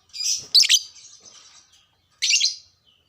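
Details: Shrill buzzy twittering from a caged lovebird, used to urge other lovebirds to sing, in two loud bursts with a fading scratchy trill between them.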